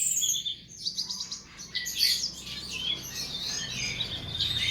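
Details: Various tutor-song birds (masteran) for cage-bird training: sharp high chirps and short whistles, sparse at first then a denser warbling stretch, with a low hum behind.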